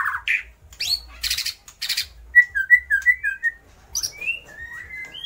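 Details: Singing white-rumped shama mimicking lovebird, kapas tembak and pijantung gunung: a few harsh scratchy bursts, then a clear series of short, rapid whistled notes, some rising, ending in longer slurred whistles.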